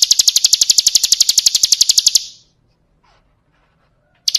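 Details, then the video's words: Bar-winged prinia song used as a training recording for cage birds: a fast, even burst of high, sharp notes, about ten per second, lasting two seconds, then near silence before another burst starts at the end. "Masteran Suara Burung Ciblek Kristal"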